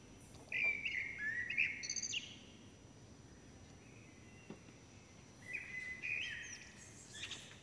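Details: Nestling common blackbirds beg while both parents bring food: a loud cluster of high, wavering squeals, then quiet, then a second burst of overlapping thin cries near the end, with faint background hiss.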